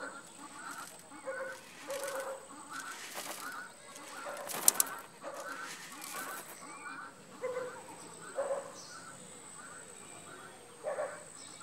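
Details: Helmeted guineafowl on a farm in Sologne, France, at sunset as they prepare to perch in trees for the night, give harsh, rasping repeated calls in loose bursts, with a wing-flap burst and steady high insect whine.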